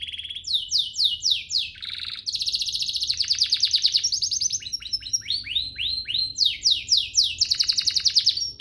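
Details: Canary master song for training young canaries: a fast, varied run of high downslurred notes and buzzy rolled trills, switching phrase types every second or so with almost no pause.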